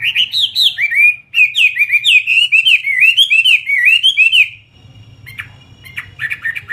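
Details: Fighting Chinese hwamei in captivity pours out a dense, fast chain of varied whistled notes, sliding and looping, for over four seconds, then breaks into a few softer scratchy notes with background noise.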